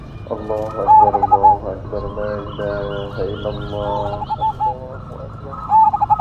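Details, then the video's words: Cemani majapahit zebra dove singing with a big voice: short runs of rapid, bubbling coo notes at the start and close, over a murmur of lower, voice-like sounds and faint rustling. "PERKUTUT CEMANI MAJAPAHIT GACOR SUARA BESAR"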